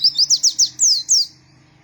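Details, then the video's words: White-eye singing energetically, a quick run of about seven bright, high, downslurred whistles, the last two notes longer and sweeping, ending in quiet. "pleci gacor mp3"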